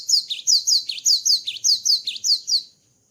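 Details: Cinereous tit singing vigorously after moulting: a quick run of about nine high two-part notes, each a sharp downslurred whistle dipping into a lower note, delivered evenly over two and a half seconds, with a faint steady high tone behind.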